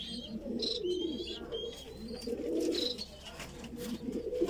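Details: Voorburg Shield Cropper pigeon squab begging while being fed: low, throaty churring and bubbling with a few thin, high squeaks breaking through every couple of seconds.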